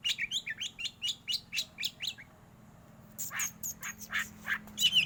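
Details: Black white-rumped shama, a contest bird, delivering a fast string of short, rising chirped notes for two seconds, a brief quiet, then harsher scratchy bursts and high sharp notes over a low background hum.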